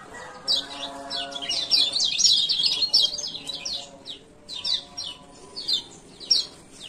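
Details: Lemon-bellied White-eye (kecial kuning), male, Lombok, ciak ciak calling played as a lure to restart silent birds. Dense run of rapid high chirps early on, then looser paired notes; faint harmonic tones below.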